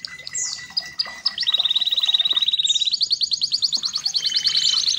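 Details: Red canary singing as a training song, starting with scattered sharp chips and a downward sweep, then a long even trill of rapid pulsed notes, repeated many times a second, ending in a higher rolling phrase.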